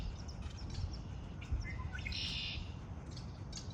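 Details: Birds singing in spring: scattered high chirps, then one bright buzzy trill lasting about half a second near the end, over steady low rumbling background noise.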